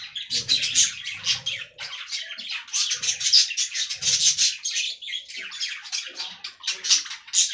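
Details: A group of budgerigars enjoying fresh green leaves keep up a fast, chattering warble of squeaky, buzzy notes in quick pulses, with soft low thuds now and then.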